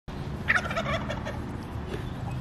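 A wild turkey gives a loud, rapid, rattling gobble that tumbles downward over about a second, over a steady low background rumble.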